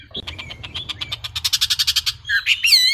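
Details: Wambi producing a rapid train of short pulsed notes, speeding up and growing louder, then a harsher, buzzy sweeping phrase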